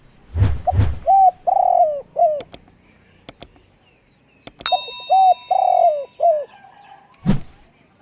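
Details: Spotted dove coos two full phrases of mellow hoots and long rolling coos, interrupted by sharp knocks, clicks and a ringing metallic clang.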